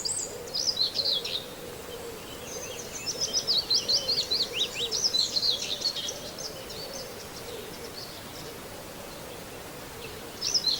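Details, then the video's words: Common whitethroat singing near Wells-next-the-Sea: short, scratchy, high warbling phrases that come in separate bursts with pauses between them, over a steady outdoor hiss and a faint lower wavering tone. "just a minute of birdsong: Whitethroat, plus lots of other bird sounds!"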